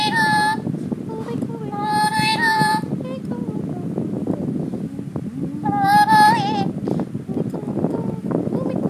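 A lorikeet gives three bursts of wavering, voice-like warbled notes, the last quavering upward, over a steady background rumble with clicks and clatter.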